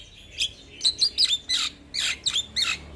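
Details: {'_': 'Young, actively singing Javan myna used as a tutor for other mynas, giving about eight short, high, chirping whistles with sharp downward flicks, spaced irregularly over a quiet background.'}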